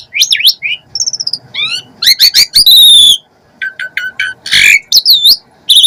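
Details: Asian pied starling singing a lively full song packed with mimicked phrases: quick whistled slurs, rising and falling notes, stacked buzzy chatters and a harsh rasp, in dense bursts with brief pauses.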